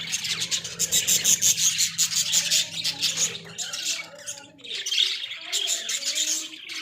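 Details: Caged Australian budgies in a small pet cage, giving fast rasping chatter and sharp chirps, with softer lower warbled notes between bursts and a low hum early on.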